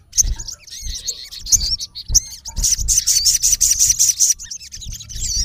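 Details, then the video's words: Male olive-backed sunbird, known as sogon, calling a rival: sharp high chirps, then a long, fast, buzzy trill sustained for over a second, followed by twisting whistles. "MALE SUNBIRD CALLING RIVAL -SOGON GACOR MEMANGGIL LAWAN KASAR"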